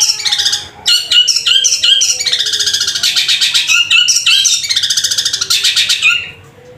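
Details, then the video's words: Long-tailed shrike in loud, sustained song, gereja and kunti styles: dense fast chattering and squawky trills in near-continuous bursts, dropping to quiet near the end, with a faint lower whistle beneath. "Cendet suara gereja tarung sambung kunti gacor panjang keras"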